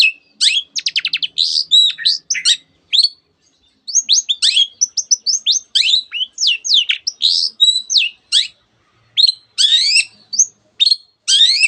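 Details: Long-tailed shrike singing vigorously, its song packed with canary imitations and many other borrowed bird voices; fast trills, sweeping whistles and sharp chirps follow one another almost nonstop.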